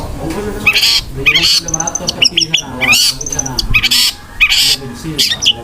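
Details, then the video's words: Long-tailed shrike in full song with harsh filler notes and rapid 'tembakan' bursts, a style called isian kasaran and roll speed. Loud scratchy high bursts alternate with thin whistled notes and rising slurs, with low murmuring underneath. "BURUNG CENDET GACOR MEWAH ISIAN KASARAN DAN TEMBAKAN ROLL SPEED"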